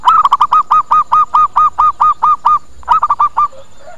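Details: Local zebra dove lure call, used to draw wild doves in and make them answer: a fast run of about fourteen short, even cooing notes, then a brief pause and a second quicker burst, loud and close.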